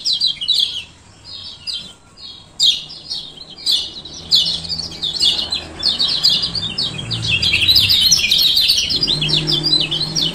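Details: Rapid, dense run of high chirping from a male lemon-bellied white-eye of Lombok, its 'ciak ciak' calls played to coax lazy birds into song. The chirps come in quick clusters, with a low hum late on.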